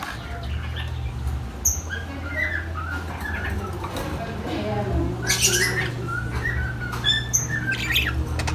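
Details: Lovebirds, described as very vocal and noisy with a high-pitched chirp: sharp, thin high chirps scattered irregularly, with a burst of harsh, broadband squawks near the middle and a steady low hum throughout.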